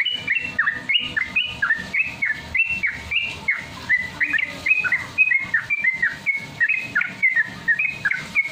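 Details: A yellow-vented bulbul, used as a training lure, sings rapid, bubbly phrases, with short liquid notes that rise and fall several times a second. The song runs on without a break.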